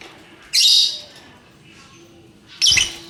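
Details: Lovebird ngekek song from birds of mixed colours: two sudden shrill, grating bursts about two seconds apart, high-pitched and dense, with quiet background between.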